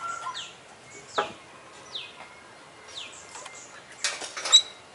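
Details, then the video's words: Oriental magpie-robin (kacer), an international champion, in active song full of mimicry: thin downslurred whistles about once a second, a faint steady tone beneath, then scratchy high notes near the end. "Full Isian Juara Internasional Burung KACER Gacor"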